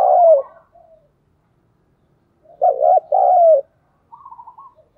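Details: A decoy spotted dove calls to draw wild doves. A loud coo fades at the start, followed by silence, then a forceful two-part coo with a longer second note, and a quiet trailing trill.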